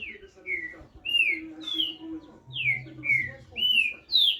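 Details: Green-winged saltator repeating clear whistled phrases that slide downward, about two per second, over a background of low humming and murmuring.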